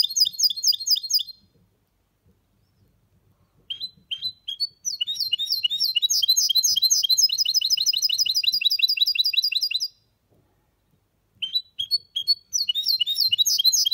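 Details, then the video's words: Champion 2023 goldfinch hybrid (mule) singing a clean song in the Malaga copy style: rapid, high, bright twittering phrases of chirps and trills, delivered in long bursts separated by brief silences. "Mixto de Jilguero campeón 2023 cantando Limpio / mule of goldfinch (copia Malaga)"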